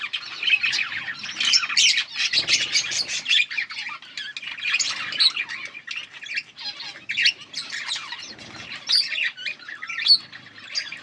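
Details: Yellow budgerigars chirping together in a continuous busy chatter of warbling, scratchy and squeaky notes with no pauses, several birds overlapping throughout.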